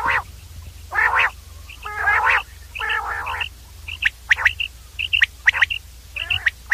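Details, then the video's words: Common quail (batir) giving coarse buzzy rasps early on, then a run of crisp high pips in tight clusters, about one burst per second, with a faint steady hum underneath. "common Quail sound clear audio long 35 Mon/ Batir ki saaf awaz"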